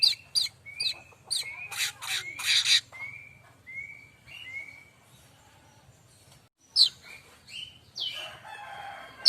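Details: Streaked weaver (manyar kembang) song, used to train magpie robins and other songbirds: quiet chips, then a series of thin falling whistles, a pause, and a few sharper scratchy notes.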